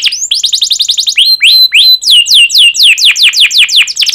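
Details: Canary delivering sharp cuit-cuit phrases meant to get other canaries singing: loud rising-then-falling whistled notes repeated rapidly, then slower, longer down-slurred whistles about three per second.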